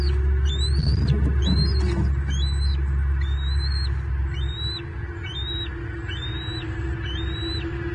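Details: Bald eaglet on a Southwest Florida nest cam, 9 May 2023, while receiving fish from the adult male: repeated high squealing whistles with rising onsets and flat tops, about three per second, over constant low-frequency hum.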